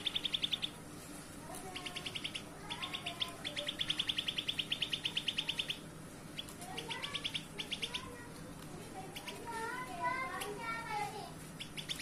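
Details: A pair of grey-bellied bulbuls singing: bursts of rapid, evenly repeated high notes in trains lasting up to a second or more, interspersed with lower slurred whistled phrases, against a steady background hum.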